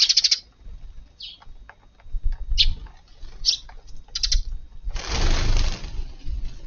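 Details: Sparrows visiting a garden for breakfast early on a July 16 morning after rain: short bright chirps in scattered bursts, then a loud rushing whoosh like wingbeats near the end.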